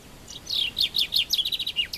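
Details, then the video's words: Common chaffinch in Morocco delivering a lively song: high descending notes gathering into a rapid, bouncing series of chips, ending with a slurred downward twist, then the start of another note; quiet surroundings. "the best bird song : The Common Chaffinch"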